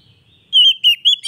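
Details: Short Oriental magpie-robin snippet used as therapy for a bird that has stopped singing: a wavering whistled note with quick dips, cut off mid-phrase.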